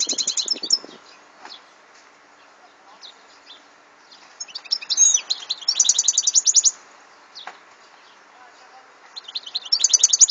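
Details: European goldfinch song in 2014, several bursts of fast buzzy twittering and trilled high notes separated by quieter stretches with faint chirps and background hiss.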